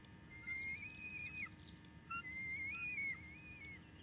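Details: Second eaglet of the IL Trio bald eagles, 10 May 2019, calling from the far side of the nest after being chastised by its mother; two long, thin, wavering whistles, the second drawn out and bending up and down, over a low hum.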